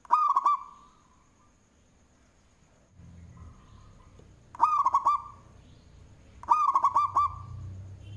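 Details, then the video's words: Local zebra dove with a big voice, Indonesia, singing manggung as a lure. Three bursts of four fast, throaty, hooked coos appear, with a long pause after the first. A low rumble and a steady faint high whine run underneath. "Perkutut Lokal suara BESAR Manggung, Cocok untuk pancingan"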